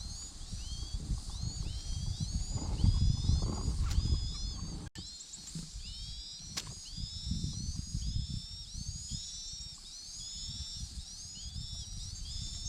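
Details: Chinese hwamei pair raising their four chicks; thin, high upward-sweeping chirps repeated rapidly and overlapping, from several birds, over a heavy low rumble and rustling.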